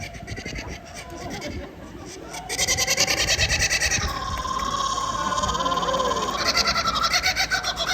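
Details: A captive Laughing Kookaburra at a bird show at African Lion Safari, Hamilton, Canada, 2022, breaks into a loud, rollicking cackle of rapid, rhythmic hoots that rise and fall over soft background noise.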